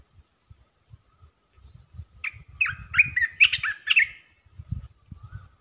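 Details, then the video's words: Resident red-eyed bulbul pours out a fast series of bright, bubbling chirps for about two seconds, with faint high calls of other birds and low background rumble. "เสียงนกกรงตาแดงEp.219 จ้าวหยกสายเรียก!! เจ้าถิ่นมารำ"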